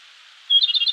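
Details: Japanese robin singing in a mountain forest of the Koshin region, Japan, early morning in May; after a pause, one high pure whistle is followed by a rapid rattling trill that is cut off after about half a second.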